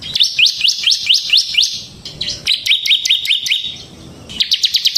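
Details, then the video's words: Ciblek semi, a bar-winged prinia singing vigorously in ngebren style, used as a lure for ciblek kristal and as a tutor song: bursts of sharp, rapid slurred chirps, each rising then dropping, repeated in quick runs with brief pauses. "suara burung CIBLEK SEMI GACOR Ngebren Ampuh untuk Pancingan Ciblek Kristal dan Masteran Ciblek"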